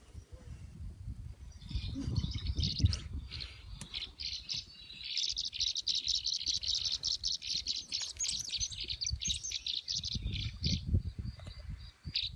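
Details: Tree swallows gathering in August 2015 at Parker River National Wildlife Refuge, Plum Island, Massachusetts, with real calls mixed with app playback: a dense, continuous chatter of high chirps with low rumbling noise beneath.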